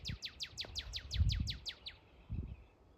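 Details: Northern cardinal giving a rapid series of steep downslurred whistles, about eleven notes falling from high to low pitch, likened to Star Wars sound effects; soft low rumbling in the background.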